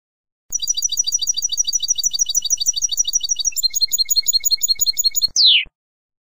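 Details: European goldfinch song for tutoring young birds: a long, very fast high trill that switches to a second, more metallic trill, then closes with one loud, downward-slurred note. A faint low rumble sits beneath.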